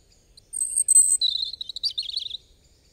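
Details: European robin delivering a high sustained whistled opening followed by a long, fluttering warble of rapid wavering notes that drops slightly in pitch before stopping.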